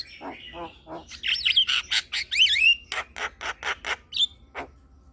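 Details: Javan myna song meant to rouse stressed, silent mynas: low nasal notes open, then sliding whistles and harsh rapid chirps at about four per second, ending in a short clear whistle.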